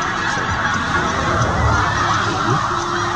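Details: Large gathering of migrating snow geese with juveniles on a stopover near Winchester, where they pass until early December. Loud, dense honking fills the scene, with rapid uneven calls, about 160 per minute, over a low rumble.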